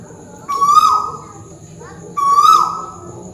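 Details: Malaysian tuwu owl calling from overhead: two loud, clear whistled notes, each holding steady, swelling slightly and then dropping away, about one and a half seconds apart over a quiet background with a faint steady high tone.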